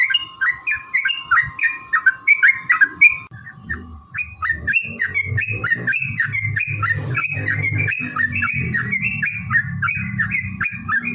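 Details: Yellow-vented bulbul delivering a long fighting song used to provoke other bulbuls; rapid bubbling whistled notes continue throughout while a rumbling, noisy background rises after the first few seconds.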